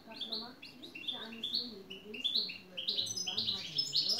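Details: Goldfinch song made of quick, bright, upslurred twittering notes strung together in an unbroken chattering series, each note rising sharply in pitch.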